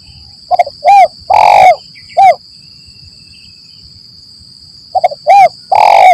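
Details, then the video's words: Spotted dove (tekukur) lure call of the 'Kuk 1 Mersik' lambung style, used to draw birds when trapping in forest: stuttered short notes, a hooked coo, a long loud coo and a closing coo, repeated twice, constant high hum. "Suara Burung Tekukur Gacor || Pancingan Suara Tekukur Paling Di Cari Pemikat"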